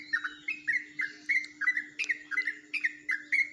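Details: Ropelan-style song of a yellow-vented bulbul from Jombang, unlike typical bulbul singing: a fast, unbroken string of bright, slurred chirps, about three to four per second, with a few sharper high accents, over a quiet background.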